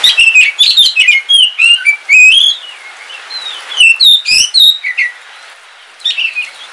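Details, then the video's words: Home-kept oriental magpie-robin, Kalimantan black form, singing on a rainy day: a lively run of rising and falling whistles, trills and sharp chirps in quick clusters, with brief pauses and soft rain noise behind. "Suara Kicauan Ketika Hujan - KACER WULUNG KALIMANTAN"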